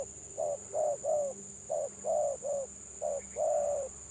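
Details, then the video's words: Gagap-style spotted dove cooing in small groups of two or three soft notes, each group ending in a longer coo. There are short pauses between groups and a steady shrill whine behind. "BURUNG TEKUKUR GAGAP VS GAGAP"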